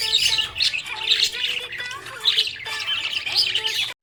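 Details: Happy budgie chatter in repeated loud bursts of harsh, high twittering roughly every second, with sustained musical notes underneath.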